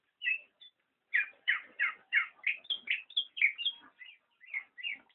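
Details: Black-naped oriole chattering in a fast, uneven series of bright downslurred chirps, about three a second, after a brief opening pair of notes and a short pause.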